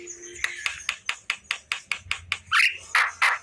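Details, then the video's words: Afternoon song of a Javan myna: a steady run of dry, harsh chack notes about five per second, closing with louder grating squawks and a short rasping phrase. "Burung jalak kerbau di sore hari||suara jalak kebo full"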